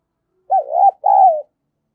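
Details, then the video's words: Decoy spotted dove calling to draw in wild doves, giving one mellow two-part coo: a short wavering note, a brief gap, then a longer smooth note that slowly falls. "Chim Cu Mồi gáy gọi và thúc bổi mới nhất, chim cu gáy kích bổi"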